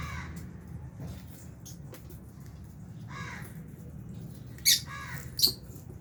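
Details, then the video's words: Feeding albino and Fisher's lovebirds in an aviary, budgies nearby, utter scattered raspy chirps, then two sudden piercing shrieks near the end, over a steady low hum. "Lovebirds Chirping Sounds"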